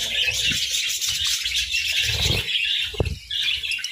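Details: While eating grass and moringa, budgerigars give lively high chirping and squeaky warbling, thick and continuous, with low crunches around two seconds and a sharp click near three seconds.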